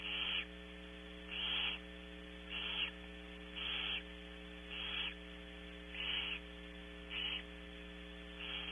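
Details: Barn owls at Starr Ranch during early morning feeding on 21 March 2016; harsh breathy hisses repeat about every 1.2 seconds over a steady electrical hum.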